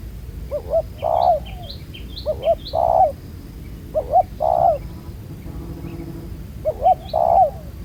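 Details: Spotted dove, a wild-caught field bird with a black-spotted neck collar, during ground-decoy trapping; low hollow coos in phrases of short stuttered notes ending in a long held coo, repeated about every three seconds, with faint thin chirps of other birds.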